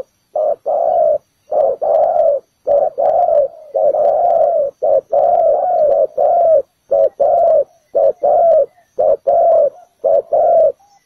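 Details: Decoy spotted dove calling to pull birds toward a ground trap, a sustained series of hollow low coos in short-long pairs, repeated steadily for many cycles with little else heard.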